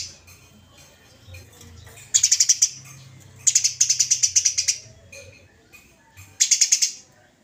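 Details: Eurasian tree sparrow in an aggressive fighting display, used as a master recording: three clusters of sharp, rapidly repeated chirps, the middle one a longer rattle of over a dozen notes.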